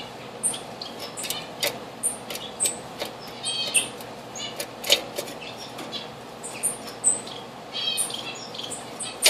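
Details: Diamond firetail visiting a bird bath, 4 June 2013: repeated thin high whistles mixed with many sharp bursts of wing flutter or splashing over about nine seconds.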